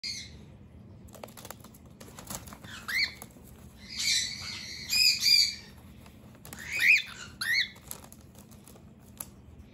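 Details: Pet cockatiel indoors defending its base against an approaching human and driving him away: bursts of harsh, rasping squawks and short scratchy chirps come in clusters with pauses between them, along with soft rustling and flapping.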